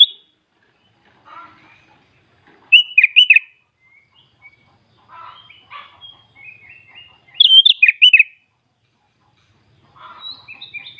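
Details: Sooty-headed bulbul, a singing bird from Klaten in Central Java, Indonesia, with 'full isian' song: scattered short phrases, soft twittering runs mixed with loud bursts of rapid, fluttering high notes, separated by quiet gaps.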